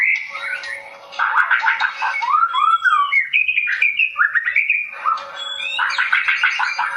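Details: White-rumped shama, a young wild-caught bird shown dancing, delivers varied twittering phrases: dense chattering bursts alternating with clear rising and falling whistles, with a constant low hum in the background.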